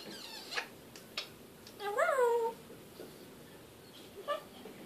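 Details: African grey parrot talking, making one bent, voice-like call that rises and then sinks, lasting over half a second, framed by soft clicks and a short later chirp against low background hiss.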